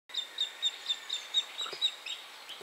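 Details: A western marsh harrier calls at a reservoir in Rawa Mazowiecka, Poland, on 31 July 2017: a quick run of thin, high chirps, about four each second, evenly spaced, over a light background hiss.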